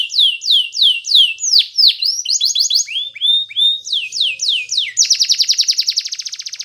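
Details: Belgian canary song for training young birds: looping downward sweeps, varied chirped phrases and clear whistles, ending in a long, fast, dense trill.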